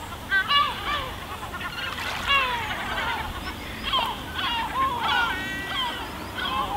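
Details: On Spiaggia Paolina's pebbles, Elba, Italy, gulls utter sharp clipped yelps and drawn-out descending wails in clusters, against a soft backdrop of waves.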